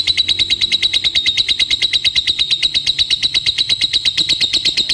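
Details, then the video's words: Lovebird in a long ngekek trill, a steady high chattering buzz of very rapid even pulses, sustained without a break through the whole stretch. "Love Bird Ngekek Durasi Panjang"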